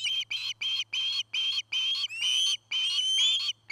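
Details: Osprey calling at a nest near Charlo, Montana, picked up by a nest camera in 2018: a rapid series of about nine short, clear whistled yelps, the later ones longer and slightly rising, against faint low hum.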